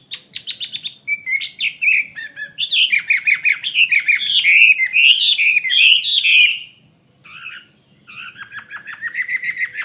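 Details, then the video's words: Captive fighting Chinese hwamei: fast buzzy notes lead into a dense, loud stream of warbled and looping whistles lasting several seconds. After a brief pause it continues with softer chattering phrases. "Họa Mi chiến 21"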